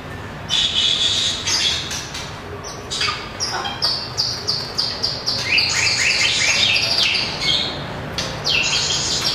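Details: White-rumped shama, a small long-tailed bird, singing in competition while flicking its tail and hopping along the perch: rapid high chattering phrases with sharp thin notes and short bursts, changing constantly.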